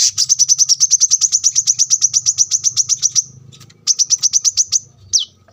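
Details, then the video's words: Brown-throated sunbird (kolibri kelapa) in lively masteran song meant as a training recording for cage birds, taped at a roadside house: fast run of sharp, high repeated notes for three seconds, a short pause, another burst, then one falling note. "kolibri kelapa gacor masteran"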